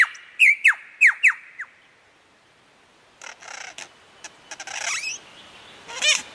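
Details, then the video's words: Lyrebird, the mimetic bird, with four clear whistles swooping steeply downward, a short pause, then harsh broken chattering and one last rising-and-falling squeal. "Lir Kuşu / Taklitçi Kuş / Lyre Bird / Mimetic Bird"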